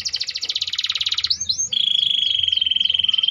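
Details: Canary (Kenari AF) singing in the gerek style: a fast buzzy trill of dense repeated notes, then quick whistled downslurs over a long, steady, high rattling trill.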